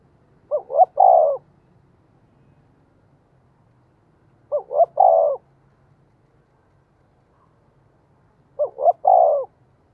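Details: Decoy spotted dove calling to draw in wild doves: three identical coo phrases spaced roughly four seconds apart, each two brief notes then a drawn-out coo, with a faint low rumble beneath.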